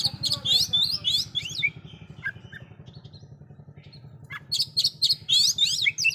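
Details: Oriental magpie-robin pouring out loud filler-phrase song that excites other magpie-robins: fast, jumbled high whistles and chirps at the start and end, with a steady engine drone throughout.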